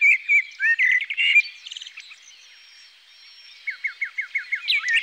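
A common blackbird sings clear whistled notes and a quick rattling trill, pauses, then gives a run of about eight quick down-slurred notes ending in a squeaky twitter.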